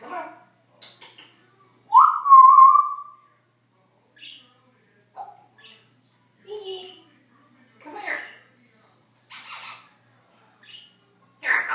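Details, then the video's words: Pet Congo African grey parrot indoors, talking and making noises: scattered short vocal bursts, one drawn-out falling harmonic sound near the start, then clicks, squeaks and word-like fragments spaced a second or so apart. "African Grey parrot talking and making noises"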